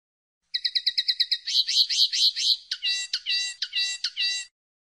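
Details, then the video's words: Pardillo song opening with eight crisp, evenly spaced high chips, then a buzzy warbled phrase and a series of sharp, twangy twittering notes, each separated by brief gaps. "El Canto del Pardillo"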